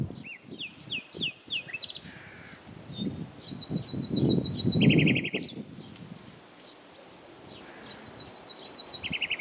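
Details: Common nightingale song with varied phrases: a series of upslurred whistled notes, a level buzzy tone, rapid rattling bursts, and repeated sharp notes, over a rumbling low-pitched noise that swells in the middle.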